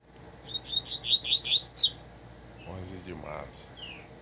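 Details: Double-collared seedeater singing a quick series of bright, sweet whistled notes, each rising and sliding, about seven in a fast run, followed by a brief human voice and a few thin, descending whistles.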